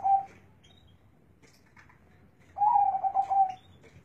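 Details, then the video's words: Zebra dove singing with a big, deep bass voice: one rolling, quavering coo phrase about a second long, pulsing low and steady, preceded by a brief fragment of an earlier phrase, over quiet room background. "suara burung perkutut suaranya besar dan ngebass"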